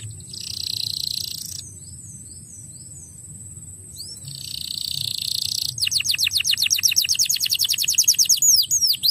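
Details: Crested canary song, used to prompt young canaries to sing: buzzy high rasping phrases with a pause between them, then a fast run of sharp descending notes, with a steady faint high whine throughout.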